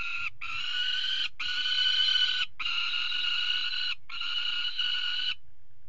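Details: Peregrine falcon on a nest-box webcam at a water tower, 5 February 2018, a pair mating on the ledge: long, steady, strained wailing calls, rich in harmonics, in four drawn-out bursts with short breaks, over low rumble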